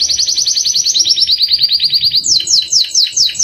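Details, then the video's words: Singing canary used for tutoring caged birds: a long, fast, buzzy roll sliding gently downward, then a slower series of sharp, descending chirped notes. "Kenari gacor cengkok mewah// cocok untuk masteran burung"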